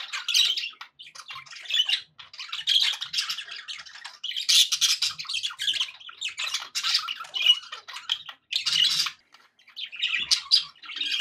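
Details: Contented budgies kept as pets chatter continuously for about eleven seconds: grating squawks, warbled notes and chirps in uneven bursts separated by brief silences.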